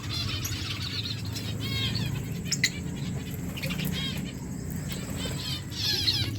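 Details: Lovebirds chirping as they eat, July 31, 2024: short bursts of high, rapidly warbled chirps separated by pauses, with a steady low rumble and a faint constant high whine underneath.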